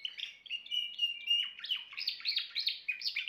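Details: Timbrado canary singing a fast, continuous song of rolling trills and liquid, metallic notes, with short sustained tones giving way to rapid, bouncing phrases.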